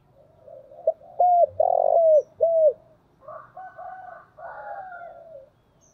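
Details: Decoy spotted dove giving a phrase of four loud, low, arched, hollow coos, followed by softer, lower cooing phrases.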